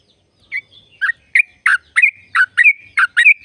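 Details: Sooty-headed bulbul song played to get caged birds singing: a run of eight or so rich, bubbly chirps with slurred whistled tails, delivered in quick, slightly irregular succession with no other sounds.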